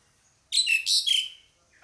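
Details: Pied myna female calling to a male, giving a sudden loud burst of three grating, buzzy notes with whistled overtones, followed by a faint note at the end.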